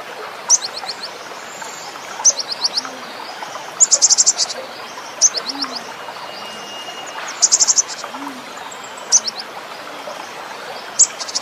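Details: Cinereous tit singing a full varied song: short bursts of rapid, high, stuttering notes, repeated roughly every one to two seconds, over a constant hiss with faint insect-like buzzing.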